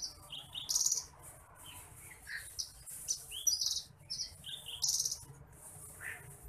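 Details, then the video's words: Masteran recording of the bush lark (branjangan apung, titimplik): varied high whistled slurs and brief buzzy bursts, delivered in uneven clusters with short quiet gaps. "MASTERAN BURUNG BRANJANGAN APUNG (TITIMPLIK)"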